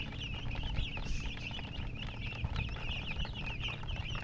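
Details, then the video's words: Colored baby chicks chirp in quick high runs of peeps, partly covered by heavy low rumbling and occasional thumps near the recorder. "silly chicken chirping sounds with murgi hen color chicken"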